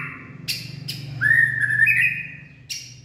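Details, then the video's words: White-rumped shama singing in late afternoon, 18 February 2024: sharp clicks, then a clear whistled phrase sliding upward and wavering in a long sustained note, a final click, over a steady low hum. "Birds white-rumped shama.Late Afternoon Singing."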